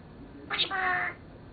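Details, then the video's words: A 7-year-old male Senegal parrot gives one short, nasal, meow-like word lasting about half a second, opening with a harsh burst, against a quiet background. "Senegal Parrot Talking"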